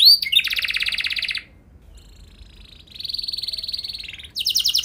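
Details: Canary singing a lure recording meant to set other canaries singing with long rolls: a dense buzzy trill, a short pause, a second long rolling trill, then a higher rapid trill starting at the end.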